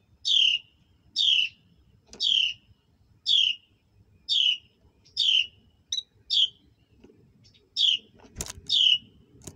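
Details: Recorded at a nest while a mother bird feeds her hatchlings: sharp, high downslurred chirps repeated about once a second, with one brief loud click and faint low rustling beneath.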